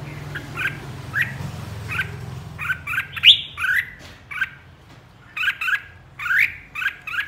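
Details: Lead bird of a red-whiskered bulbul flock singing ché: a steady series of bubbly, rising chirped notes and occasional sharper whistles over a low humming background noise.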